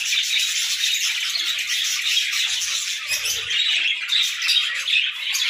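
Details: Pet budgies singing at dawn, continuous bright chirping and rasping warble from a group, fairly loud and even throughout.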